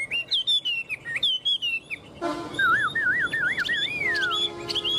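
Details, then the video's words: Tame Chinese hwamei in a cage, perched firmly and displaying wings and tail, gives a string of clipped whistled notes, then a long wavy warbling phrase that slides downward, with a low steady tone underneath. "Họa mi thuần ôm cóng - Chơi cánh đuôi cực đỉnh"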